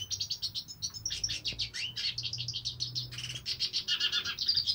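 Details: Singing hooded siskin, known as cabecita negra, pours out a dense, rapid twitter of high chirps and short trills with a few lower buzzy notes mixed in.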